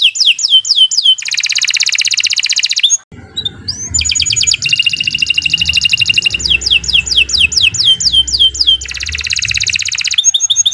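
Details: Canary singing a long, continuous song meant as a tutor recording for other birds: fast buzzy trills alternate with strings of sharply falling whistled notes. A brief break comes near three seconds, then the singing resumes over a faint low hum.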